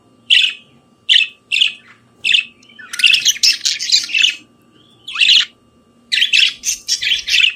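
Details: Morning singing by a budgerigar: four evenly spaced sharp chirps, then a rapid buzzy chattering run, a brief pause, and a string of quick squeaky notes, with a faint hum underneath.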